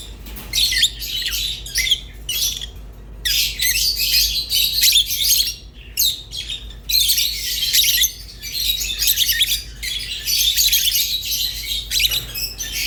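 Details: Rosy-faced and Fischer's lovebirds singing: dense, continuous high chattering and chirping in long bursts, broken by brief pauses near three and six seconds.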